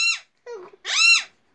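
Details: A pet talking Alexandrine parakeet says "good night" as a brief two-part phrase in a harsh, nasal, high-pitched voice, with a lower murmured syllable between the two bursts.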